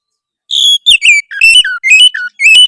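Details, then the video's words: Harsh song of an Oriental magpie-robin used to provoke rivals: loud, clear whistled notes, some sliding down and some rising, delivered in short separate phrases with brief gaps between them. "suara kacer kasar memancing lawan"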